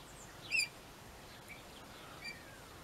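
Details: Captive pet rainbow lorikeets at home: a brief, nasal, buzzy squawk with layered overtones, then a much fainter short chirp about two seconds later over soft background hiss.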